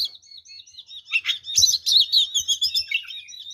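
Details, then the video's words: Oriental magpie-robin in vigorous fighting song full of varied fills, meant to provoke rivals into aggression: soft twitters swelling into loud, rapid whistled and warbled phrases, with a low thud. "SUARA BURUNG kacer gacor TARUNG FULL ISIAN ini PALING AMPUH MEMANCING KACER LAIN JADI EMOSI"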